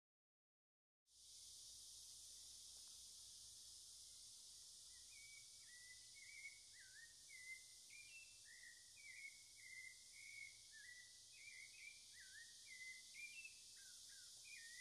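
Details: A cocoa thrush in Amazon forest sings short, rich whistled phrases, rising and falling, delivered almost continuously over a loud, steady high-pitched insect drone.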